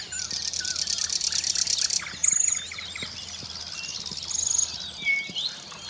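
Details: A common nightingale singing in competition with five or six other nightingales opens with two seconds of loud, rapid, rattling trill, then gives high, pure whistled notes, with other birds singing faintly in the background.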